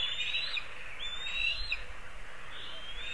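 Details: A black kite at its nest in a linden tree in Kurzeme, Latvia, on 29 May 2023 at 16:02 gives thin, high, sliding whistles, wavering and drawn out, repeated over steady wind-like background noise.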